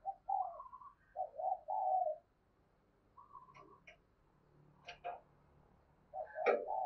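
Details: Spotted dove kept as a decoy, cooing in soft low phrases of hoarse notes against a hissing background, with several sharp clicks and knocks between phrases.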